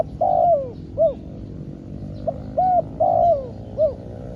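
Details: Trained decoy spotted dove cooing during a trapping session; drawn-out falling coos alternate with short rounded notes, several phrases in quick succession over steady low background noise.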